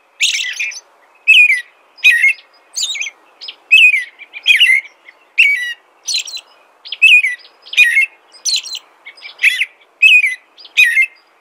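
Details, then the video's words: Sustained American robin song: a long run of evenly paced whistled phrases, dipping and rising, with occasional high squeaky notes, in a quiet setting. "American Robin Song"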